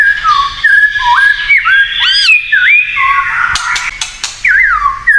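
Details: White-rumped shama in kretekan song, said to make other shamas agitated: fluid looping whistles, rising and falling, with a few abrupt harsh crackles near the middle.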